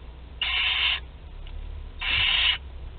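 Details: Young barn owls, two to twelve days old, sharing a meal in their nest at Théding, France, on 29 April 2021; two rasping hissed screeches, each about half a second, a second apart.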